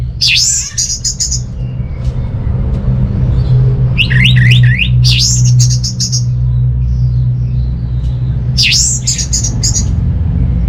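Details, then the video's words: Orange-headed thrush (anis merah) singing in full, continuous voice, played to stir quiet home-kept birds into song: three bursts of high, varied phrases with looping swept notes and rapid clicking ticks, separated by pauses, over a constant low humming background. "ANIS MERAH Mau Nyaut Gacor"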